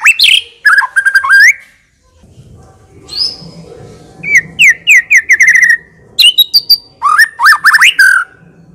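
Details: White-rumped shama in lavish full isian song: dense whistled phrases, a two-second lull, then a high thin whistle and rapid strings of downslurred notes, with sharp high accents, in bursts of shot-like tembakan delivery.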